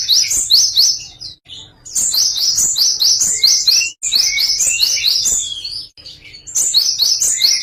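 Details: Java sparrow delivering a song variation: repeated phrases of quick, bright downslurred chirps, several per second, with occasional lower rising whistles, broken by short silences between phrases.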